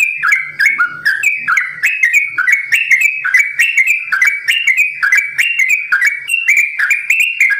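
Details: Caged sooty-headed bulbul pouring out a long rapid 'ropel' song, fluty notes tumbling in quick two-step phrases, almost without breaks, sprinkled with sharp high clicks.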